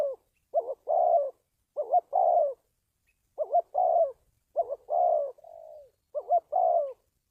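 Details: Spotted dove calling, a recording meant to train decoys and lure wild doves for trapping: about five phrases, each a fast double rising note followed by a longer falling coo, separated by short pauses, with a quiet background.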